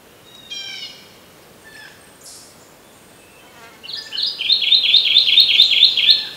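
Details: Kentucky warbler singing in early July at Townsend's Park, Murrysville, Westmoreland County, Pennsylvania: a rapid, rolling chant of repeated two-note phrases, about eight in under three seconds, after a few scattered chirps from other birds.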